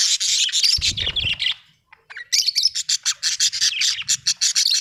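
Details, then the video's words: Australian budgie chirping in a loud, dense run of harsh squeaky notes, a brief pause with a soft rustle, then a rapid, evenly spaced string of chirps. "budgie chirping sound"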